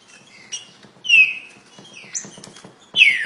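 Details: Green-winged saltator, trinca-ferro, giving a very fast song: a few loud downslurred whistles with sharp high notes over faint background ticking and rustling.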